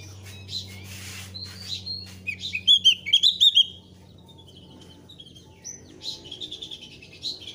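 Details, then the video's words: A thick-billed white-eye sings lively, high twittering notes. It is used to prompt newly kept white-eyes to start singing. A rapid burst of sharp chirps is followed by scattered, softer phrases over a low hum. "SUARA BURUNG OPIOR ALIS TEBAL GACOR NGEPLONG"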